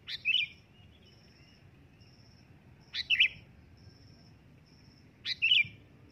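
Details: Loud sooty-headed bulbul call. Three short, rich, warbling bursts arrive roughly every two and a half seconds, with a faint intermittent high tone between them.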